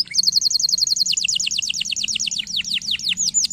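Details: Canary song used for training lazy canaries to sing: a fast run of repeated high chirped notes, about two per second-fraction, shifting midway into longer descending sweeps, steady and loud throughout.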